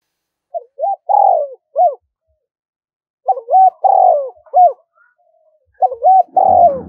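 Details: Spotted dove calling on the first day of the lunar new year: hoarse coo phrases of two short rising notes, a long loud falling coo and a final curved note, repeated about every three seconds, with silent gaps between.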